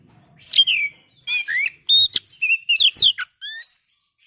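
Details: Kacer, the oriental magpie-robin, in a rich lure song: a dense run of varied whistles, warbles and quick upward and downward slides, delivered almost without pause.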